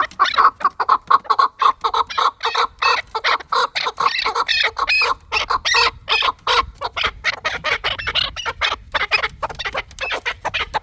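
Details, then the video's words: Rapid, continuous clucking from a chukar partridge, harsh rattling syllables tumbling over each other in a long, excited run. "Кабки Дулани чанги"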